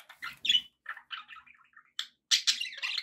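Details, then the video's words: Pet budgies chatter in quick bursts: buzzy chirps, a bright squeak, soft warbled notes, then louder harsh squawking. "budgie sounds"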